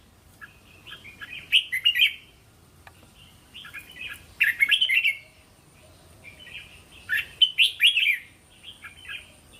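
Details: Red-whiskered bulbul singing a linked-phrase training song meant for young cage birds to learn; three warbled, chattering phrases of rapid clear notes, each roughly a second long, with short pauses and faint background birds.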